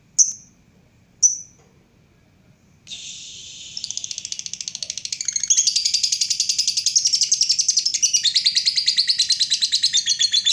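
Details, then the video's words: Lovebird giving its long trill: two brief high chirps, then a sustained buzzy trill that grows louder and faster, turning into a rapid rhythmic chatter of dense high notes lasting over seven seconds, in a quiet setting. "Lobe bird ngekek panjang"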